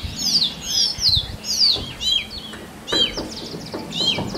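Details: Male Oriental magpie-robin singing in forest to attract a mate: clear, sliding whistled notes and brief downward sweeps, spaced irregularly, with low background rumble.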